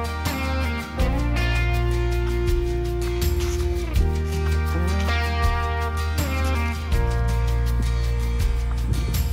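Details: Loud instrumental music with a steady low beat and sustained tones plays throughout, with no animal sounds.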